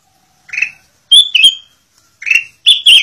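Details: A Black-crested bulbul, recorded as tutor song for other birds, sings four brief, bright whistled phrases, slurring up and down, spaced about a second apart against a quiet background.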